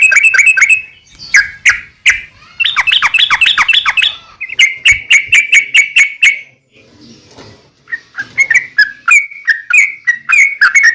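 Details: Yellow-vented bulbul in long rapid-fire song, played as a lure to make other bulbuls sing back: bursts of bubbly, liquid chattering notes, some trilled in quick series, broken by a short pause before more chirpy phrases.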